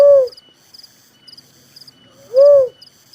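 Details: Little cuckoo-dove (tekukur merah, uncal) giving short, deep, rounded notes, two here about two and a half seconds apart, with faint rhythmic insect chirps high above.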